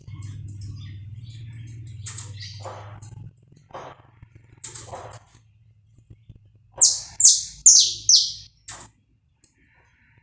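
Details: Saffron finch singing live to warm up birds. A low steady hum fills the first seconds, then faint taps, then five loud, buzzy, falling notes in a quick regular run.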